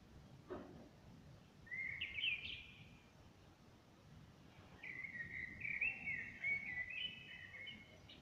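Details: A common blackbird sings outside a window, recorded on a smartphone: two rich, warbling phrases a few seconds apart, mellow and slightly rising, over an unidentified low background drone.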